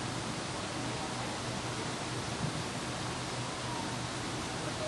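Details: Steady broadband hiss like rushing water fills the recording at a zoo, with a faint low hum underneath and no animal voices.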